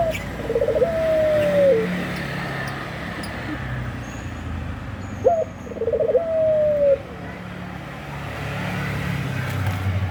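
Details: Two matching coos from a puter pelung, a Eurasian collared dove wanting to mate, roughly four seconds apart, each a brief rolling flutter drawn into a long falling tone, over a low traffic drone.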